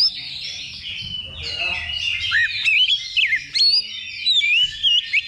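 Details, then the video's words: Oriental magpie-robins (kacer) singing at a level 2 simulated contest held as practice before a real competition: dense, overlapping high whistles and sliding notes that grow louder after three seconds, with rapid chirps and a low murmur underneath. "Simulasi Lomba Kacer Level 2 Tuk Latihan Sebelum Tanding"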